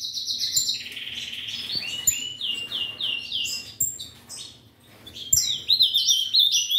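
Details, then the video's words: Ultramarine grosbeak of a breeder opening with a run of repeated descending whistled slurs, then softer notes, a quiet gap, and a fresh bright warbled burst near the end, with other birds chirping high behind. "Azulao Coringa"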